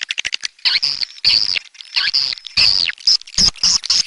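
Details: Swiftlets calling: bursts of thin, high twittering chirps, some sliding down in pitch, mixed with dry clicking rattles and short gaps between phrases.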